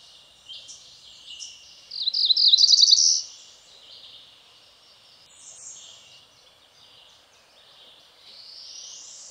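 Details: Cerulean warbler singing along a stream in the Ozark Plateau of Missouri, on the Meramec or Big Piney Rivers or Huzzah Creek: one high buzzy run of rapid notes lasting about a second, then fainter distant song and stream hiss.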